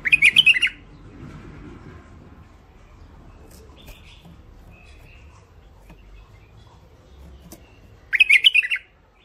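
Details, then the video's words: Hybrid finch (mule), described as thick-throated, singing two short bursts of rapid, bright chirping notes, one at the start and one about eight seconds later, with quiet room hum between. "مخلف وحشي علوازي أول عزله حنجره ثخينه"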